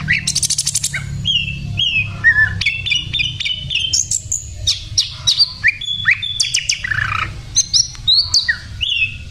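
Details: Varied song of a sikatan londo flycatcher in full voice, opening with a fast buzzy trill, then clear whistled notes that rise and fall, separated by brief pauses, with a steady low rumble beneath.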